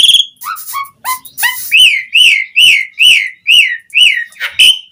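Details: Asian pied starling (jalak suren) singing hard as bait for other starlings; a few lower descending whistles open, then a steady train of arched whistles repeated more than twice a second.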